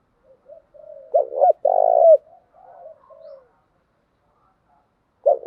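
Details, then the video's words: Female spotted dove decoy cooing in 'thúc gù' and 'gáy gọi' styles to make birds respond quickly: one full low phrase of two brief hoots and a drawn-out buzzy coo, quiet murmuring notes, then another phrase starting. "Tiếng chim cu gáy mồi giọng lôi cuốn hấp dẫn đủ bài[ THÚC GÙ , GÁY GỌI ]"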